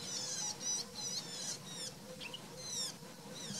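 Isabelline shrike giving high, squeaky chirps and short rising notes, about three a second, irregular, over a low steady hum.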